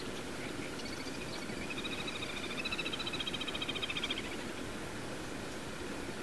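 A little grebe gives a high, rapid whinnying trill of about two seconds, rising then fading, over steady rushing background noise.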